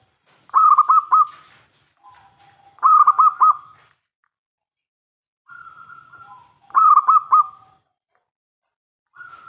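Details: Local Zebra Dove in strong voice, used to provoke other doves into answering: loud phrases of four rapid mellow coos repeated roughly every three seconds, each preceded by soft low cooing.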